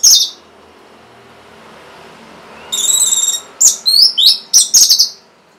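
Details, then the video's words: Orange-headed thrush song, used as a lure for caged thrushes that refuse to sing: a brief note, quiet gap, then a buzzy trill followed by rapid varied whistled and slurred notes in quick succession. "C0COK Untuk Pancingan Burung ANIS MERAH Bahan Macet Ataupun Malas Bunyi"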